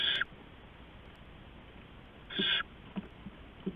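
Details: Adult owl delivering rats to owlets at about 4:30 AM on 15 November 2015; two short, harsh hissing bursts with faint soft clicks and rustles between them.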